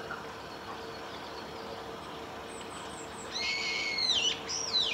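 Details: Female brambling photographed 31 March 2018 at Saiko Wild Bird Forest Park in Japan, giving a rough, buzzy, drawn-out call that slides downward, then a shorter upward-bent note. Faint thin high squeaks precede it.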